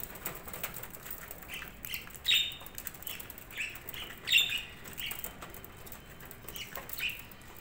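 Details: Short, high budgerigar chirps recur roughly every two seconds. A few are louder and sharper than the rest, over a soft steady hiss.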